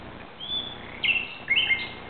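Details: Common nightingale at night in Barcelona, Spain, 17 May 2009 at 2:30 am, giving a long thin whistle followed by two loud, rich slurred phrases dropping in pitch, against a faint hiss.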